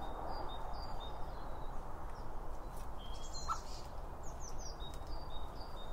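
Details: Feeding birds around a seed feeder, recorded with a pair of microphones on either side of the feed: scattered high chirps and brief twittering notes against a broad, steady low noise.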